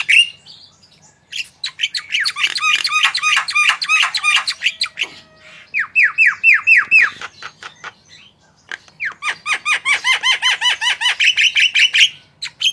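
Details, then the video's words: Javan myna singing energetically, used to prompt other birds to sing: bursts of fast repeated arched whistles and squawky notes, a series of falling whistled slurs, then another long rapid run of repeated notes. "Jalak kebo gacor full masteran//cocok untuk pancingan burung anda"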